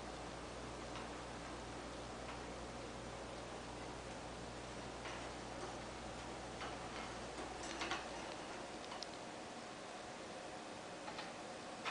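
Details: Steady indoor hiss with faint ticking and occasional soft clicks and rustles, but no animal voice.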